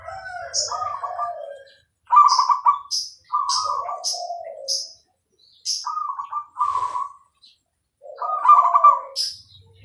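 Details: Clear-voiced zebra dove of the Bangkok type in full song: high thin notes lead into quick trilled coo phrases. Brief pauses separate the phrases, and there is one short noisy burst.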